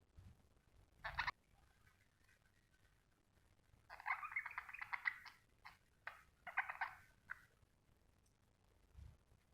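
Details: A happy budgerigar chirping: a short chirp, then a dense, scratchy warbling chatter lasting over a second, a briefer burst after it, and quiet indoor pauses between the bursts.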